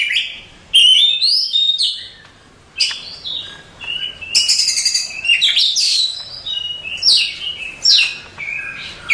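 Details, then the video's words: Contest-winning Oriental magpie-robin (Copsychus saularis) pouring out a rich song of sweet whistled notes, sharp upslurs and dense chattering trills, in bursts with brief gaps. "Suara Kicauan Burung Kacer Juara Kontes"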